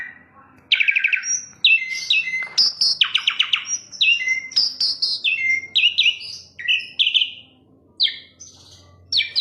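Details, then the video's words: Asian pied starling song: dense run of high whistles, short rasping rattles and clipped chirps, notes tumbling over one another with brief gaps, steady and loud throughout. "KICAU JALAK SUREN MANTUL"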